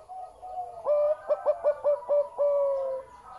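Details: Deep-voiced zebra dove song opening with soft lead-in notes. A rapid string of five or six bright, clipped, stuttering coos follows and ends in a long sustained flat note.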